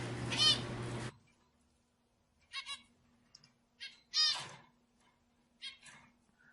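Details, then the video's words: Zebra finch calls played to stimulate other birds: a noisy burst opening the first second, then short nasal, harmonic call notes at intervals of about one to two seconds, with a faint low hum underneath. "صوت طائر الزيبرا لتهيج الطيور"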